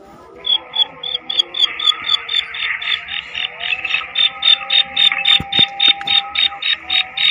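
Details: Female black francolin calling: a rapid, even series of sharp high clicking notes, about three to four per second, running steadily throughout, over faint steady background tones.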